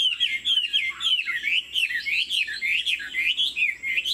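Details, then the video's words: Chinese Hwamei kept as a caged songbird, 90% pure-bred, singing with head-bobbing 'lion dance' movements: clear, loud whistled phrases sliding up and down in swift repeated loops, bright and melodic throughout. "Họa mi thuần 90%, chơi cánh, hót gật gù múa lân"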